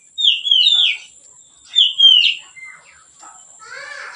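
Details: Leisurely song of a white-rumped shama used to train other birds: two rich, rolling whistled phrases about a second apart, then quieter scattered twitters.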